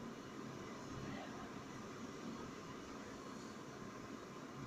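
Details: A steady, low broadband rumble like engine or aircraft noise fills the recording, with no animal calls.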